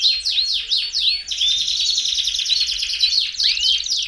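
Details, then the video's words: Belgian canary singing, used to warm up another canary: a few descending swept notes lead into a dense, fast, high trill with bright whistled upslurs, sustained without pause. "CANTO PARA ESQUENTAR CANÁRIO BELGA"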